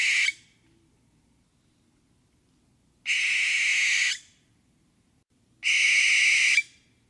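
A barn owl gives long, harsh, hissing screeches, each about a second long and spaced a couple of seconds apart, with quiet in between.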